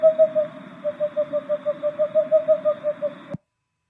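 A screech owl gives a steady, mellow trill on one low pitch, pulsing about three times a second for over three seconds before cutting off abruptly.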